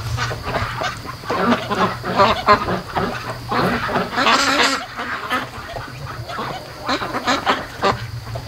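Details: Night chorus from a group of pet ducks raised by hand, 73 days old, at 3 AM before moving to a lake: continuous scratchy quacking and honks from many birds at once, swelling around the fourth second, over a constant low electrical hum.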